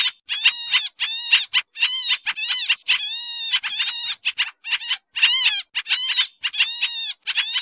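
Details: Lure call of a pied triller for trapping, described as noisy: a continuous run of raspy, buzzy chattering bursts, some with slurred up-and-down notes, packed closely over several seconds. Quiet background.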